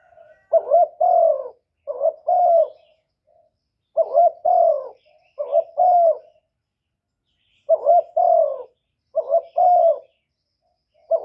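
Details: Spotted dove kept as a decoy to lure wild birds, recorded without background noise. It gives about seven cooing phrases in irregular bursts, each a stuttered opener and a longer mellow coo, broken by several quiet gaps.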